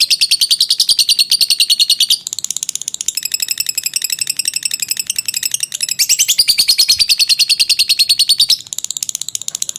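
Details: Long ngekek chatter of a lovebird, used to train birds. Rapid, evenly repeated high, scratchy notes run continuously, with short breaks where the pitch shifts slightly higher before the trill goes on.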